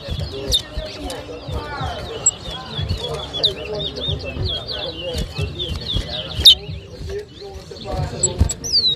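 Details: Chestnut-bellied seed finch (towa towa) singing in a whistling competition at Rosehall, Guyana, 2023; rapid high, slurred whistled notes run continuously, with crowd voices and low murmuring beneath.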